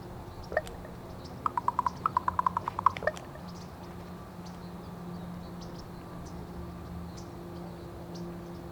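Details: A mated pair of common ravens make clicking sounds together: a quick run of about a dozen dry, wooden clicks over two seconds, then quiet against a low steady hum.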